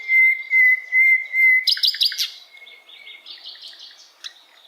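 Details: Asian brown flycatcher, a tutor song for songbirds to learn: four long, even whistled notes, then a quick burst of high buzzy chirps and soft twittering.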